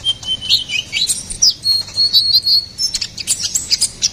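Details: Ruby-cheeked sunbird in energetic full song, offered as a master and lure recording for songbirds: high, thin chirps and short twittering whistles with quick upward and downward slurs, delivered in rapid bursts with a faint low background hum.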